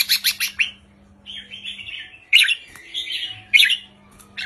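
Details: Caged red-whiskered bulbul song in a short counted 3-4-5 style, used to rouse other caged birds; rapid chattering notes, then slurred warbling phrases with sharp accented bursts, over a faint steady low hum.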